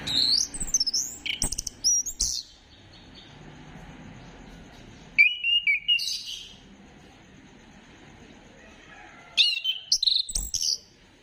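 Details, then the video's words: Orange-headed thrush (anis kembang) lure song from 15 December 2025. Bursts of fast, high, twisting whistles open the recording, followed by quiet pauses, a short whistled phrase midway and a final lively burst. "Gacorkan Burung Anis Kembang Dengan Pancingan Suara Ini"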